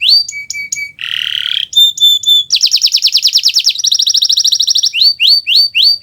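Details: Gacor Kenari Nusantara canary, recorded as a master for other birds: clipped whistled notes, a harsh buzz, long fast buzzy trills, then loud rising sweeps roughly three per second.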